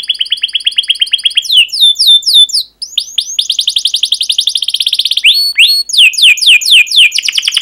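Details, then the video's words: Caged canary, continuous lively song of sharp chirps and rolled trills: an even high buzzy trill first, then bright downslurred whistles, a fast rattling roll, and spaced falling chirps. "Kenari GACOR PANJANG Cuit CUIT EMOSI"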